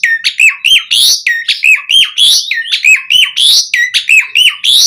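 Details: Energetic Asian pied starling song in a quick repeated pattern. Rising whistled notes alternate with broad, harsh bursts, and the phrase recurs at a steady, rapid pace.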